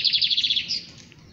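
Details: Lined seedeater, known as bigodeiro, giving a quick rattling series of about eight high buzzy notes in under a second, fading into a thin trailing note.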